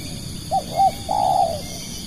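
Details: Spotted dove used as a lure bird calls a three-part phrase, two brief soft coos followed by a longer wavering croo, clear over a faint steady high-pitched background hum.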